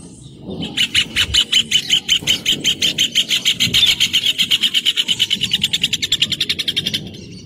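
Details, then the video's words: Rufous hornero singing: a loud, rapid series of sharp, ringing notes, steady in pitch, that speeds up into a fast trill over about six seconds before stopping abruptly. Faint low rumble underneath. "João de Barro Cantando"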